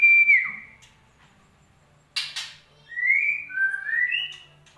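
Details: White-rumped shama song used as a lure to prompt a silent bird to sing: a high whistled note sliding down, two sharp clicks, then rising and wavering whistled phrases.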